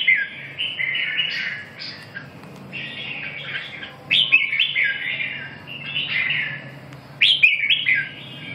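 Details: Red-whiskered bulbul delivering a run of cheerful warbled phrases, each a few slurred notes stepping up and down, with louder, sharper bursts around the fourth and seventh seconds; a low steady hum in the background.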